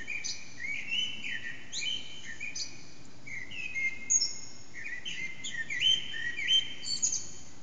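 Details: Early-morning Eurasian blackbird song near 4:30 am, captured by phone in a reverberant backyard with the singer out of sight: a continuous run of mellow fluting phrases broken by thin, high squeaky trills over constant low noise.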